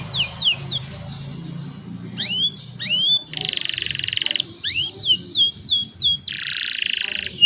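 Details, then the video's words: Young canaries singing, recorded on cellphone to train other canaries; quick falling whistled notes, rising upslurs and two broad buzzy trills follow one another in a lively varied phrase. "Young Canaries Sing for Your Lazy Canaries | Canary Singing"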